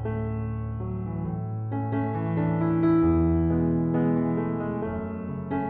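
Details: Electric piano music plays continuously, with sustained chords and a steady melodic rhythm and no animal voices.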